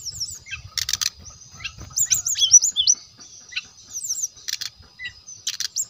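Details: Song of a brown-chested jungle flycatcher, sung as a lure to make rivals sing: scattered high chips and fast downslurred whistles, broken by a few harsh broadband bursts, with soft low patter underneath.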